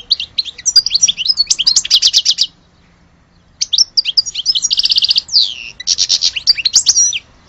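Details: Song of an Algerian European goldfinch: two bursts of rapid liquid twitter and dry rattling trills with downslurred whistles, split by a pause of about one second.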